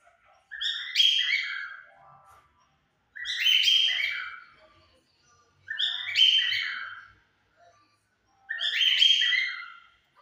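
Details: Four loud harsh rasping calls from a pair of cockatiels, one white and one yellow, singing at 5 pm. The calls repeat roughly every two and a half to three seconds.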